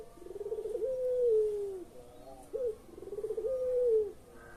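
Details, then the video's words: Collared dove singing in the pelung style, used to lure quiet birds into calling: two long coos, each a wavering, pulsing lead-in that smooths into a sustained, slightly falling note, with a short clipped coo between them. "SUARA BURUNG PUTER PELUNG"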